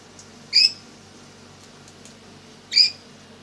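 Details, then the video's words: Lory during daily activity and play, indoors: two short, bright squeaky chirps about two seconds apart, with quiet ticking between them. "DAILY ACTIVITY OF LORY BIRD, PLAYING SINGING"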